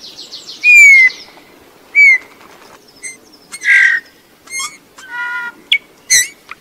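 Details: Eurasian bullfinch song: long, smooth, slightly falling whistles mixed with short piping notes, lower fluted tones and quick chirps. A faint steady murmur sits underneath throughout.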